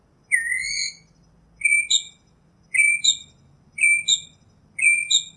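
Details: Northern mockingbird opening with a long, rising whistled note, then switching to a clear paired whistle. It repeats the pair four times at roughly one-second intervals, with little other sound present.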